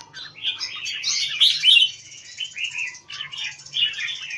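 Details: Red-whiskered bulbul kept in a square cage in Singapore style, delivering dense, rapid chattering and warbling phrases with short pauses between bursts and a louder, richer flourish early on.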